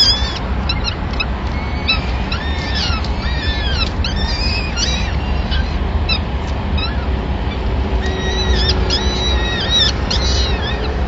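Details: Peregrine falcon nest in Madrid, 26 April 2016, during the morning's first feeding, when the male brings a small bird for all the chicks. Short bent harmonic calls in loose series, with steady low hum behind.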